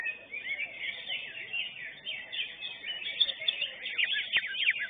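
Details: Greater green leafbird singing at a bird singing contest in Indonesia: a dense, continuous torrent of rapid twittering and chattering warbles, with quick slurred notes run together without pause, among faint background crowd noise.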